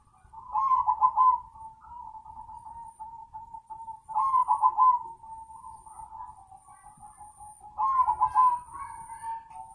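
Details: Zebra dove giving three rippling, trilled coo bursts about four seconds apart, each followed by a long level purring tail.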